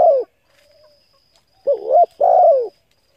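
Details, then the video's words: Spotted dove calling to lure and stimulate decoy birds: the tail of one coo, a brief hush with faint hum, then a complete phrase of a warbling double note and a long descending coo. "Tiếng cu gáy hấp dẫn đủ bài thúc gù gáy gọi kích mồi tập bổi nhanh nổi hiệu quả"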